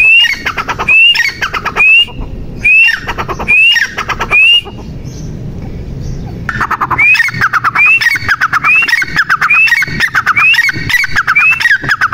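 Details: Female grey francolin calling: a loud rising whistled note, then a burst of harsh, chattering syllables. Repeated roughly every 0.9 seconds in two runs, with a short quiet break between them.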